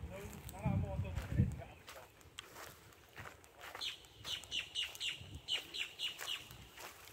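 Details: Boat-tailed grackle calling, recorded on October 17: a string of about ten sharp, high, rhythmic clacking notes in the second half, after low rumbling handling noise and a brief human voice at the start.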